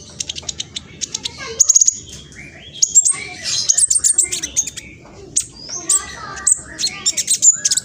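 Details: Lure song of a speckled young black sunbird, East Java, Indonesia: fast, scratchy chattering of high chirps and short trills, with some lower slurred whistles mixed in, in repeated bursts.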